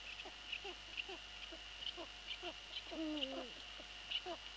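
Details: Eurasian eagle-owl pair at the nest at night, 11 April 2013, 23:41; the male arrives bringing a pigeon as prey for the young while the female flies in to scold him. Short repeated barking notes with a longer wavering call, steady whine behind.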